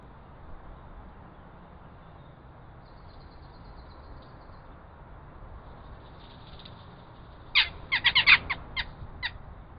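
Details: Western jackdaws on a limestone cliff ledge in the Vercors foothills near Grenoble, Isère, France: a burst of about eight sharp, harsh, clipped 'chack' calls in quick succession after a stretch of faint background rumble.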